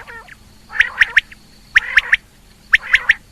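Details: Female rain quail call from 2020: three groups of three crisp, rapid notes spaced about a second apart, each group preceded by a soft rasp, with a faint hum in the background.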